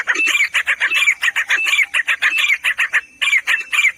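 Grey Francolin giving a loud, harsh run of rapid clucking notes, about one a third of a second, with a brief pause before the series resumes.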